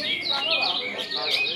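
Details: Several caged ultramarine grosbeaks, around 22 February, from about 30 cages, sing at once, overlapping sweet, warbled phrases that rise and fall, with a faint voice in the background.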